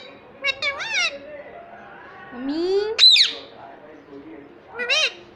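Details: Rose-ringed parakeet kept as a talking pet ringneck gives rapid speech-like harmonic notes, a long rising swoop that ends in a shrill peak around 3 seconds, then a final bright arched utterance; faint indoor background.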